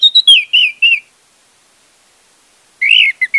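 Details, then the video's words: Orange-headed thrush singing, a lure to make a non-singing bird start: a brisk run of sliding whistled notes, a pause of nearly two seconds, then another quick warbled phrase. "pancingan anis merah untuk anis merah macet"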